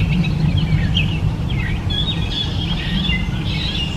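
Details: Gray Catbird (Dumetella carolinensis) pouring out a dense, hurried string of chattering and squeaky notes without clear breaks, beneath which a loud low rumble persists.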